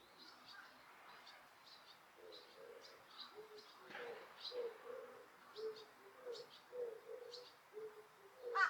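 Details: Osaka Castle Park birds, noise-reduced and free of people: after a quiet start, low hollow coos repeat rhythmically about twice a second, while sharp high chirps sound now and then above them.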